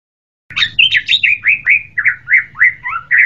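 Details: White-rumped shama singing a rapid phrase of varied whistled notes, each sliding down or swooping, about a dozen in three seconds, with a faint low hum beneath.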